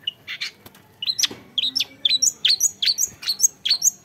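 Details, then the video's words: A young long-tailed shrike sings a quick run of high, thin, piercing chirps and whistled slurs, densely repeated and climbing toward the top of its range, over a quiet low hum. "MENYAKSIKAN GAYA CENDET MUDA"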